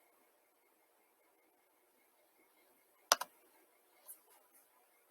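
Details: Near silence broken by one sharp click and a few soft taps, with no animal calls.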